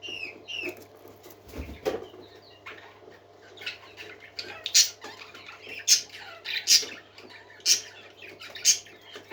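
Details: Singing parakeets give soft warbled notes broken by sharp, piercing squawks about once a second in the second half, with a low thud early on and a faint hum throughout.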